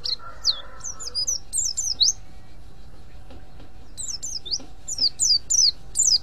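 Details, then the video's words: A mountain white-eye in ngriwik call, a lure for other white-eyes: clusters of piercing, high, down-slurred chirps in two bursts separated by a quiet gap, with a brief lower murmur at the very start. "pleci ngriwik ampuh memancing pleci lain"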